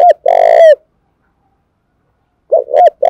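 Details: Spotted dove from Dong Nai, Vietnam, cooing to provoke and train decoys: a short note and a long harsh, harmonic-rich coo dropping at its tail, then after a pause the phrase restarts with two quick hooked notes.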